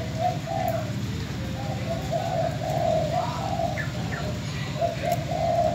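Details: Captive spotted dove decoy, sold and recorded in farewell in Bến Tre, Vietnam, perched in its cage; soft even coos run throughout beneath a loud steady low mechanical hum.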